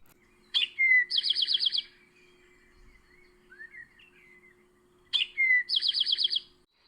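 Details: Eastern Towhee in April along the Towpath Trail by the old Ohio and Erie Canal, Ohio, giving its 'drink-your-tea' song twice, about four seconds apart: a sharp note, a lower slurred note, then a quick ringing trill; soft chirps from another bird between.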